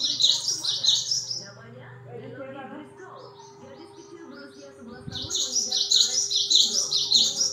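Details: A cinereous tit sings bright, high, repeated two-note phrases, about three per two seconds, used as a lure song to prompt other birds to sing, with a quieter middle stretch where soft speech is heard.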